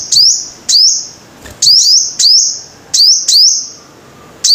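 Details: Five-coloured sunbird song of sharp, very high rising notes ending in held whining tones, often doubled, spaced about a second apart over a faint background with one soft knock.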